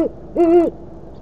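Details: At 9:45 pm on 25 March 2013, a female great horned owl at an Oklahoma City nest hoots to her mate off camera. A single deep, steady, hollow hoot is heard, briefly held, in a quiet background.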